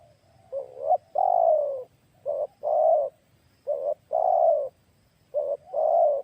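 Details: Turtle dove, used as a lure bird to attract wild turtle doves, giving deep, loud cooing phrases: a short two-part note followed by a longer rolling coo, repeated three times.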